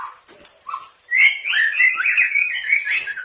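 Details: White-rumped shama training song for cage birds, with imitated fills of kapas tembak, canary and cililin: soft low notes, then a loud run of warbled, fluting whistles lasting about two seconds.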